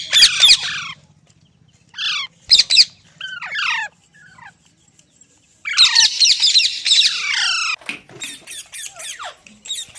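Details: Green parrot giving scattered harsh squawks and quick descending whistled notes, then a long rasping burst of screeches followed by sharp clipped calls.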